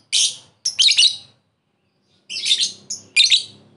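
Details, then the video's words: Lovebird ngekek lure calling a rival: loud, harsh, high squawking bursts in pairs, separated by about a second of quiet. "Pancingan lovebird memanggil musuh ngekek"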